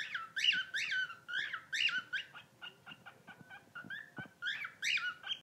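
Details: A newly rescued pet bird gives squeaky, rising-and-falling chirps in quick bursts, about two per second, possibly mimicking guinea pig wheeks; owner suspects it once lived with guinea pigs.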